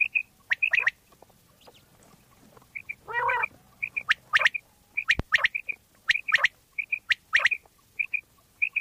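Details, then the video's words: Quail in Pakistan recorded as a lure. Short high double whistles repeat about once a second, with sharp ticks and a single loud, rough buzzing squawk near three seconds. "Bater wali Awaz mp3 / sounds of Quail mp3 / Pakistani Bater wali Awaz mp3"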